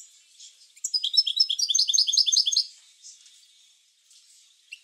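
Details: European goldfinch bitbita song, meant to spur goldfinches into singing: one fast, high, tinkling trill of evenly repeated notes lasting about two seconds, then quiet with faint rustles.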